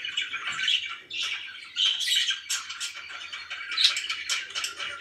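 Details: Contented pet budgerigars in a softer, murmuring chatter of scratchy warbles and squeaks, with a few brighter chirps breaking through.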